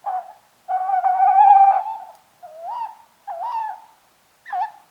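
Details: Series of eerie hoots from Tawny owls (Strix aluco): a short note, a long rich hoot, then three shorter hoots with upward-bending, slurred starts, spaced about a second apart. No other sounds are present.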